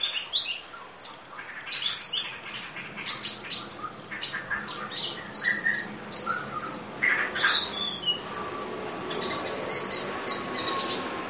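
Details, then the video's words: Masteran of Van Hasselt's sunbird, known as kolibri ninja, in full isian nembak form: a dense, busy run of high chirps, sharp ticks and twittering notes, with some softer lower warbles mixed in. "Audio Master Masteran Kolibri Ninja Full Isian Nembak Durasi Panjang Kicau Burung"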